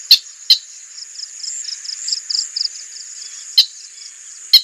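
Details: Slaty-breasted rail (Gallirallus striatus taiwanus, Taiwan subspecies): sharp, dry clicking notes, a quick pair then another pair a few seconds later, over a steady high insect hiss and faint twittering.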